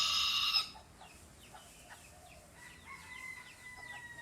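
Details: A rooster's loud, harsh crow ends abruptly within the first second, competing with other roosters that answer with fainter, drawn-out crowing from farther off, plus thin chirps.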